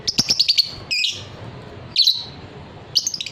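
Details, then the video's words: Fighter lovebird singing its long trilling ngekek, a tutor recording for training other birds: a quick series of sharp high chirps, then short buzzy trills recurring at roughly one-second intervals. "suara lovebird paud figter"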